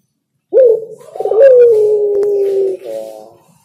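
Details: Spotted dove, known as derkuku or tekukur, singing: a sharp rising coo, then a sustained level coo of over a second, ending in a short softer note.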